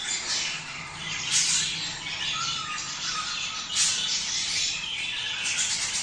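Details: Budgerigars singing to encourage breeding. A busy, overlapping warble of rasping chirps and high squeaks, with two sharper bursts a few seconds apart.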